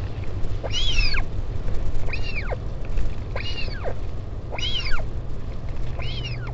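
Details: On 16 July 2019 at a northern royal albatross colony on Taiaroa Head near Dunedin, New Zealand, with a parent visiting its chick: five arched, wavering whine calls at regular intervals, backed by heavy wind rumble.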